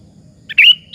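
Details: One brief slurred whistle, preceded by a soft short note, from a sooty-headed bulbul singing persistently to lure other bulbuls into answering.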